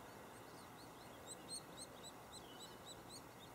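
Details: White-headed woodpeckers nesting at Lassen Volcanic National Park, with a nestling in the cavity: a faint, high, thin chirp repeated about four times a second against a steady background hiss.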